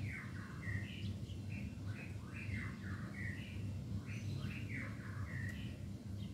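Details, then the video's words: Young white-rumped shama, nine months old, singing a rough, loud song with a full repertoire. Short whistled phrases, some falling and some rising, repeat over a steady low rumble of background noise. "MURAI BATU MUDA GACOR MELEHOY"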